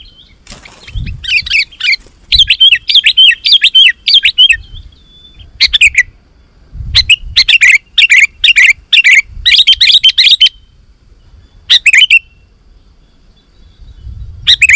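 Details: Sooty-headed bulbul song, a lure recording meant to call wild bulbuls and make them answer: loud, bubbly bursts of chattering, warbled phrases in quick clusters, with short pauses between groups and faint low thumps behind.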